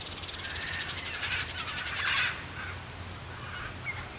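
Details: Crested caracara producing a fast, harsh rattling series of clicking pulses for about two seconds, ending abruptly, then fainter scratchy sounds over a low hum.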